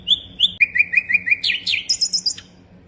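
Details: Sikatan londo flycatcher singing a varied phrase: two high ringing notes, a quick series of lower chirps, then swooping, warbled notes rising into a rapid high twitter at the end.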